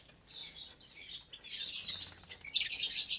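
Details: Many lovebirds, about 25 parblue, euwing, opaline, lutino and albino birds, in a cage aviary at meal time, some raising chicks: continuous high chattering chirps, building to a dense, harsh burst of shrill calls at the end.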